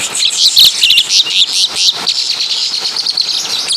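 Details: Song of a Javan Asian pied starling copying caladi and kapas tembak calls: loud, piercing squeaks and sharp chirps in the first half, easing into softer continuous high twittering.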